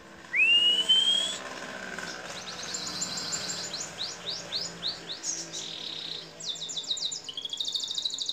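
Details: Canary song from a long masteran training recording for songbirds: a bright rising whistle opens, followed by a string of quick downward-swept notes and closing with fast, high, tightly packed trills.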